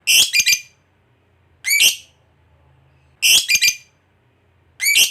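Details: Fighter lovebird, kept as a lure to spur other lovebirds into long ngekek trilling; here short, harsh, chattering squawk bursts of two to four rapid notes, repeated roughly every one and a half seconds, with silence between.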